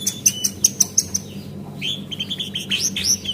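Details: Female Javan white-eye used as a lure call to make birds sing: a fast row of short high chirps, then a looser run of thin, slurred whistled notes, with steady low hum behind.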